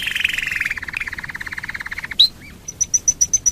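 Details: Domestic canary song played to coax other canaries into singing: a steady rolling trill, a sharp upslurred note, then six evenly spaced high pure whistles.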